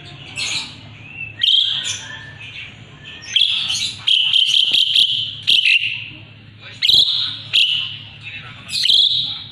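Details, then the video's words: Asian pied starling in full song, used as a song model for magpie-robins: loud harsh, buzzy and whistled bursts, with bursts and short pauses alternating every second or two. "Jalak suren gacor isian murai batu auto nyaut"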